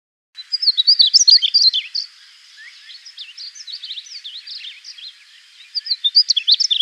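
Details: A male Painted Bunting in South Texas singing from the top of a fence post gives its simple warble: a quick, sweet, high tumble of notes in two bursts, with quieter chatter between them.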